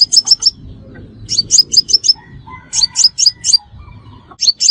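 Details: Calls of a crimson sunbird played as bait for trapping. Bright, piercing high chips come in tight clusters of four or five, repeated about every second over a quiet background.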